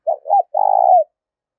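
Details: Spotted dove calling, used to lure and train decoy birds: a short low coo, a brief gap, then a longer rolling coo that falls away at the end, all deep and soft.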